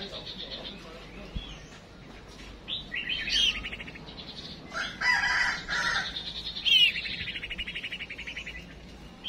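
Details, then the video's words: Female chim chuyền songbird used as a decoy to provoke males to sing, uttering high rapid buzzy trills and whistled slurs that come in loud bursts, over low background hum. "Chim Huýt Cô Mái Mồi Đấu"Thúc Chim Chuyền Hót Ra Giọng"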